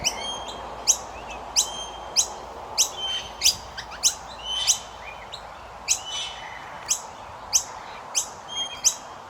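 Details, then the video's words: Young Common mynas calling during feeding: many quick, piercing chirps and downslurred squeaks, irregular and sometimes overlapping, with brief thin tonal whistles between them and soft background hiss. "Indian Miner Birds Feeding their babies | Chubby baby birds chirping sound effects"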